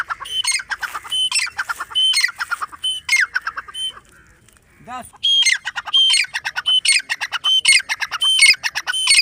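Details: A grey francolin calls in loud, shrill, harsh phrases in quick bursts, about one and a half per second, with a brief pause midway and a faint low whistle.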